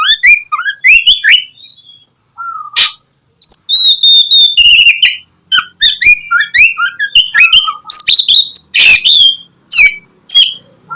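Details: Lure song of an Oriental magpie-robin to make lazy birds sing in the morning: fast varied whistled phrases and harsh notes, a short silence near two seconds, then sustained high whistles and chattering runs.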